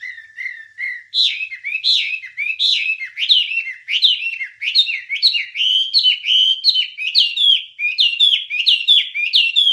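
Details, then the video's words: Wambie bird song for training songbirds: a long, continuous run of quick, bright, whistled notes repeated more than once a second. Each note rises and then drops with a buzzy edge, and the phrases climb slightly in pitch over time. "Ocehan Suara Burung Wambie"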